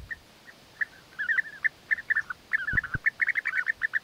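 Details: European bee-eaters in courtship, male presenting food to win the female: scattered rolled calls building into a rapid, overlapping stream of bubbling notes, with a couple of low knocks.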